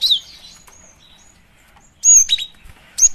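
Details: Female cinereous tit, used to lure birds: a loud, sharp, high chirp, a quiet gap with thin whistles, then a strong burst of slurred chirps and a final high note.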